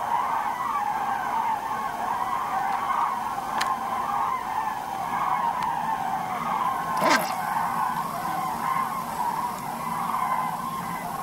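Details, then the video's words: A flock of common cranes flying over North Rhine-Westphalia, Germany, on 28 November 2010 gives a steady chorus of loud, rolling trumpeting calls overhead, with a few sharp knocks and background rumble. "Kranich Gruppe"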